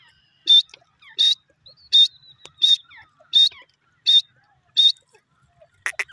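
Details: Grey francolin calling: a series of seven loud, sharp, high notes spaced evenly about every 0.7 seconds in a quiet setting, followed by a quick cluster of shorter notes at the end.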